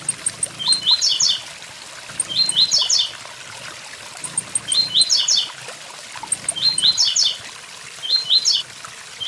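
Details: Blue-black grassquit singing beside a waterfall: short, high, buzzy 'tui tui zel zel' phrases of stepped notes, four phrases spaced about two seconds apart, with faint high ticks and steady rushing water behind.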